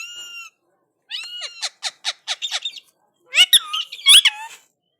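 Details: Indian ringneck parakeet speaking in reply to another parrot: a thin held whistle, a rapid series of clipped syllables, then squawky chattering phrases.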